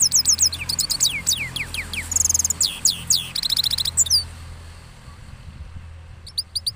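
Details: Rolling song of a cross goldfinch recorded after moulting in Parachinar. It is a lively mix of descending whistled slurs and rapid metallic trills for about four seconds, then near silence, then a brief twitter at the end.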